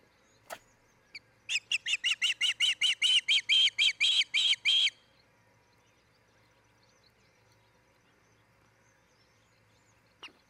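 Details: Osprey at its nest in Charlo, Montana, recorded by a nest camera on 10 July 2018, where a pair is nesting: a rapid run of about fourteen sharp, whistled chirps over three and a half seconds, swelling louder, then near silence with a few faint knocks.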